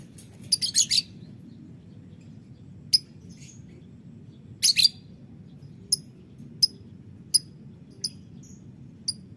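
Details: Violet green lovebird calling in the morning: bursts of sharp, shrill high chirps, a quick cluster of three near the start, then single clipped notes repeated roughly every second over a steady low hum.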